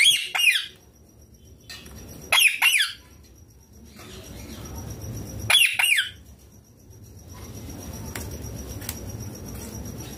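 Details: While eating chilli, a pet ringneck green parrot bursts out in harsh, shrill screeches, clusters of rapid piercing notes at roughly two-second gaps, with a faint steady hum behind.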